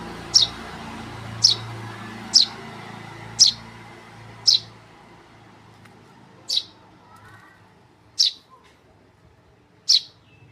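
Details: Tame Eurasian tree sparrow chick uttering short, high chirps spaced about one to two seconds apart, over a steady low hum and faint background murmur.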